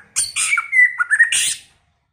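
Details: White-rumped shama singing early in the season, a varied song: loud whistled notes near one pitch with short slurred phrases, bracketed by two harsh, bursting buzzy notes, indoors-sounding with no other noise.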